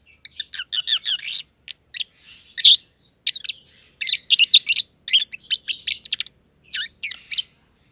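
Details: Pair of aviary-kept masked lovebirds, green and green pied personata companions, chirping at length; dense clusters of shrill, scratchy chirps, several tumbling fast together, broken by brief gaps.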